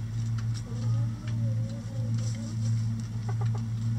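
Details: Chickens in their run pecking at a hanging cabbage ball for coop enrichment; soft, low, drawn-out clucks and murmuring calls come in short runs, with faint pecking taps, all over a strong steady low hum.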